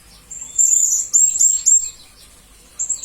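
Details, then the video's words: Blue-crowned hanging parrot (serindit) as tutor sound for murai and kacer: a tight burst of thin, high, upswept chirps, then a short pause and a few more notes. "Serindit Masteran Berkualitas Untuk Burung murai dan kacer ijo"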